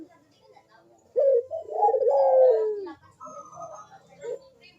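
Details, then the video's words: Vigorous manggung cooing of a Barbary dove, a lure recording for doves slow to call: a sudden low note runs into a long, burry, gently falling coo, followed by softer rolling notes. "PANCINGAN BUNYI PUTER PALING AMPUH UNTUK BURUNG PUTER YANG MALAS BUNYI"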